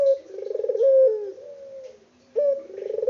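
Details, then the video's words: An Indonesian local puter dove gives a throbbing, rolling coo ending in a long steady note, a quiet pause, then the next coo begins. "BURUNG PUTER LOKAL GACOR ISTIMEWA"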